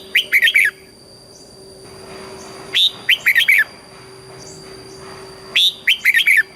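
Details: Thai red-whiskered bulbul singing southern master-style phrases, used to stimulate cage birds and tutor chicks: three near-identical bursts of rapid, bright chirping notes about every two and a half seconds, with a constant low hum.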